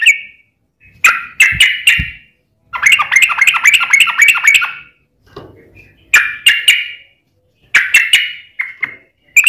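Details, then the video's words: Sooty-headed bulbul song used as a lure for other bulbuls: a few sharp notes, a rapid chattering run, then more clipped notes and short chirps. "trucukan gacor ROPEL PANJANG buat pancingan trucukan agar bunyi"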